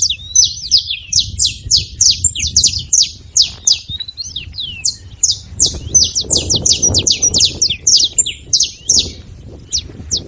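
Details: Noisy saffron finch giving near-continuous bright, sharp chirps, about three per second and irregularly spaced, with a few upward-flicking notes mixed in and a low murmur of background sound.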